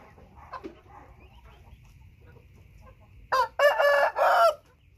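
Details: Thai white-tailed rooster crowing once, a loud harsh multi-part crow of about four segments rising into a strained drawn-out ending, after quiet background rustling and faint low hum.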